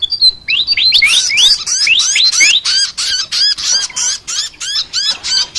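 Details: Flycatcher chattering song of sharply repeated, hooked high notes, each sliding down then up, delivered about three times a second in an even, insistent series after a short whistled opening.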